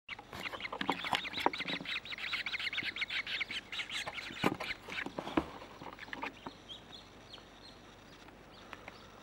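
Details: Grebe chicks aged 7 and 5 days begging during feeding: a busy stream of shrill, scratchy peeps, many per second, for about six seconds, then fading to a few thin high notes.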